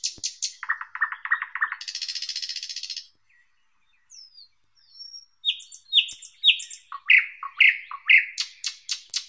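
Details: A thrush nightingale sings: opening clicks, a low rattling series, then a harsh buzzing trill; after a pause, thin high whistles build into loud rising slurred notes and clicking strokes.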